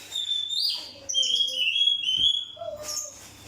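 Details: Kacer, the oriental magpie-robin, singing as bait to stir other birds into song: a continuous run of varied clear whistles, sliding and warbled, with occasional lower mellow notes and a steady low hum beneath.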